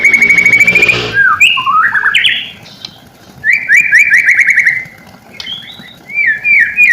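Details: Lure song of a white-rumped shama for prompting silent shamas to respond: a rapid buzzy trill, then varied slurred whistles, a quick stuttering series of notes and a few falling whistled phrases.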